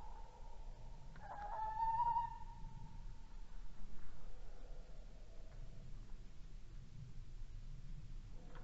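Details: Male tawny owl recorded at 22:45 on 19 January 2016 on a red deer camera in Estonia, giving a drawn-out, hollow hoot ending in a wavering, quavering note over a steady low rumble.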